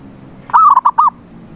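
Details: A single zebra dove phrase used to draw a mute perkutut into song: one smooth rising coo breaking into three short, quick notes, lasting about half a second.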